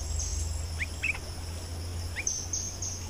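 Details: Bulbul in the wild, attracted by a decoy late in the day in breeding season, utters a few short rising whistled notes in two brief bursts against a loud buzzing insect chorus and low rumble.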